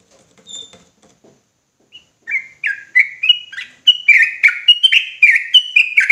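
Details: Ropelan song from a sooty-headed bulbul, heated and insistent: faint scattered chips give way to an accelerating, unbroken chain of rich, falling, chortling notes that grows louder to the end.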